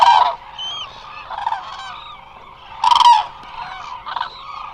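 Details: A resting flock of Eurasian cranes at the Hula Nature Reserve in Israel, heard through a remote camera; loud, resonant trumpet calls come at the start and near three seconds, linked by quieter, overlapping bugling from the flock.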